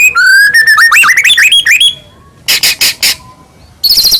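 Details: White-rumped shama singing in a fast varied burst: bright whistled notes climbing in steps, then a quick series of harsh buzzy rattles, ending in rapid high trills; sung loudly as a lure to make other shamas sing and become agitated.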